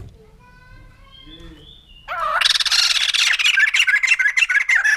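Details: White-crested laughingthrush: about two seconds of faint, thin whistled notes, then a sudden loud, harsh, chattering chorus of rapid cackling notes that continues to the end.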